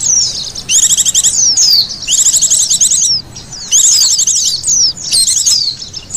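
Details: Lure sound for trapping white-eyes: four loud bursts of quick, high trilled chirps, each ending in sharp downward-sliding whistles, separated by brief quieter gaps.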